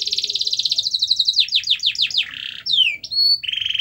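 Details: Canary song used to bring a quiet canary into song: a fast rolling trill, a run of descending sweeps, a buzzy roll, a falling whistle and a final buzzy tone.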